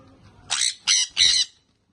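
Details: Young sun conure parrot uttering three rapid, raspy squawks in quick succession, each about a quarter second long, harsh and noisy.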